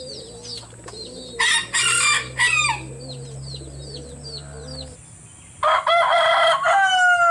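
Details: Roosters crowing loudly in turn: two harsh, ringing crows, the second long and strained, with small birds chirping quickly in between and a steady low hum beneath.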